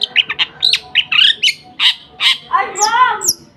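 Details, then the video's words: Lovebird in 'nembak gereja sambung' singing: harsh squeaky chirps and short squawks, then a drawn-out rasping, wavering note. "nembak gereja sambung love bird"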